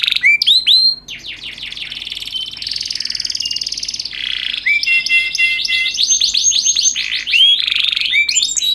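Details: Canary master recording, luxurious cengkok variations: sharp rising whistles, a run of fast descending strokes, buzzy rolls, then rapid bright trills and more rising whistles.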